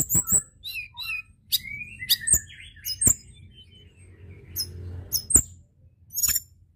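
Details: Sparse white-browed shortwing song played to attract other birds: scattered high whistled notes and short slurs broken by sharp clicks and pauses, over faint low background noise.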